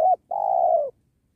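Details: A 'penguku' spotted dove cooing during trapping beside a sacred tree. A short clipped note is followed by a long, smooth, low hoot that tapers off, with a click at the very start.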